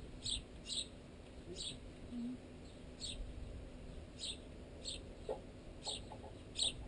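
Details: High, short sparrow chirps at uneven intervals from birds, young included, pecking at baguette wedged in a tent line. A few soft knocks from pecking near the end, and a low steady hum underneath.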